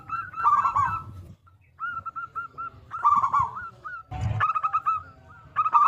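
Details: Local zebra dove with a big, loud voice, played as a lure to get other zebra doves singing: short nasal coo notes in rapid series, a rolling trilled phrase, pauses between bursts, low background rumble.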